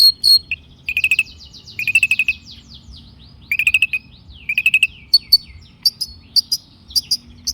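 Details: Long-tailed shrike song used as a lure to set other shrikes singing: a lively mix of buzzy descending chatters, short clicking bursts and high chirps, delivered in quick phrases with brief pauses.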